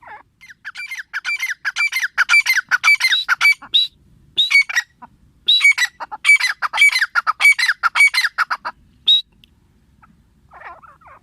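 A female grey francolin gives loud, harsh, squawking notes in quick rhythmic bursts, several runs over about nine seconds, each note rasping and high-pitched.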